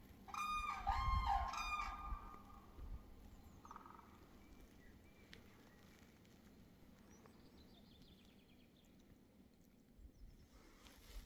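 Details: Cranes in Finland in spring, 15 April 2023, give a loud, harsh, rolling call rich in overtones during the first two seconds. A brief, softer call follows near four seconds, then only quiet background noise.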